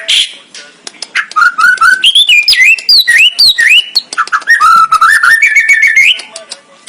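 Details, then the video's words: White-rumped shama (murai batu) singing a song described as full of 'isian': clear whistled phrases, rising and falling, with quick chattering notes and bright upward-sliding whistles in a varied, continuous run. "kicau murai batu.. fuul isiaaan"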